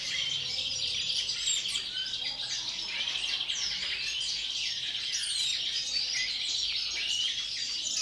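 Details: European greenfinch in captivity, pre-breeding season, delivering long unbroken twittering song of bright chirps, rising and falling slurs, and fast trills at an even volume.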